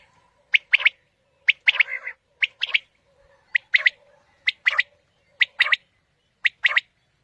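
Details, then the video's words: Quail calling, played to attract quail for morning hunting: crisp triple-note phrases, a single note followed by a rapid pair, given roughly every second, with a low steady hum under the calls. "Quail Calling 2020 | Batair Ki Awaz suba ki shikar Ki liye"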